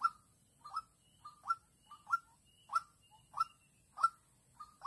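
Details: Young lure white-breasted waterhen during trapping in Vĩnh Long, 16 March 2022, facing an eager-to-fight lone wild female. Clear resonant notes, often two-part, repeat about every half second, with a faint higher whistle behind.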